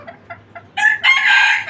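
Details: From a farm of 29 free-range desi chickens: three soft, short clucks spaced evenly, then a loud, hoarse crow that starts abruptly and stretches into a long, steady, strained note.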